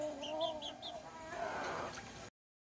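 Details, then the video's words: Kukuak Balenggek chicken, a Minangkabau singing breed known for its melodious, multi-tiered crow, giving a steady, harmonic crow that holds for about a second and a half, then fades into a rougher, noisy tail before the recording cuts off. "Ayam Kukuak Balenggek"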